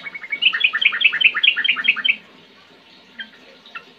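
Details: Sooty-headed bulbul singing a two-second rush of rapid, overlapping whistled notes, followed by quiet with a couple of soft single notes.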